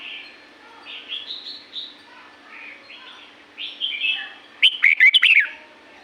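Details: Red-whiskered bulbul from La-u forest: soft scattered whistles and short chirps build to a loud, jaunty warbled phrase of choppy, bouncing notes near the end.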